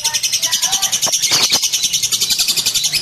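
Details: Domestic lovebird chattering: an unbroken rapid pulsing trill of high buzzy notes, about seven pulses a second, with a few sharp clicks in the middle.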